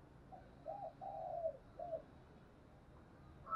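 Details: Spotted dove used as a decoy to lure wild birds, cooing faintly: a short note, then two brief coos, a longer drawn coo, and another short coo, all low and soft over a steady background hiss.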